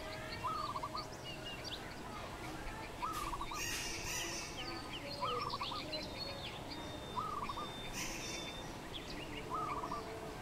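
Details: Yellow-vented bulbul eating fruit, repeating a brief gurgling phrase about every two seconds, with scattered higher chirps and occasional rustling bursts in the background.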